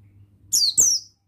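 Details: Oriental white-eye, a male buxtoni-type bird used as a lure to start other captive birds singing: two quick high, thin, sharply descending chirps in close succession, clean with a faint low hum underneath.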